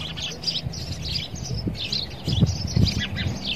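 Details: Sparrow attacking his reflection in a mirror: a run of high, sharp chirps at about two or three a second, mixed with low knocking taps and background hum.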